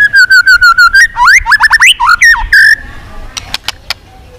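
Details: White-rumped shama song from a voice-training recording meant to stir birds into duelling song: a rapid series of short repeated whistles, then swooping slurred notes, followed by a few faint clicks.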